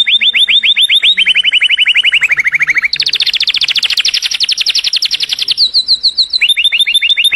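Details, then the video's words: Canary song meant for teaching young canaries. Clear phrases of quickly repeated syllables step lower in pitch, then a long bright high trill, then a return to crisp rising chip-like notes in a steady series. "Best Canary Singing - Kenari Anda akan bernyanyi dalam 5 menit"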